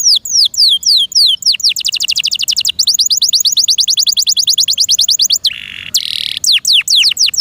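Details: Owner-kept canary in loud, sustained song. Rapid falling chirps lead into a long, evenly pulsed high trill, broken by two brief buzzy bursts, then descending whistled sweeps resume.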